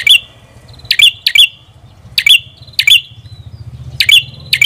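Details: Sharp, twanging chips from a red-headed prinia (prenjak kepala merah), given singly or in pairs with short gaps, over a soft low droning hum.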